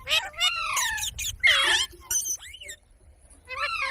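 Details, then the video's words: Talking parrot mimicking human speech: a quick run of varied, voice-like syllables, some bending upward, others sliding downward, then a harsh buzzy burst and a pause before a short closing phrase. "Talking parrot video| Parrot sounds videos Compilation | mitthu mitthu | parrot voice"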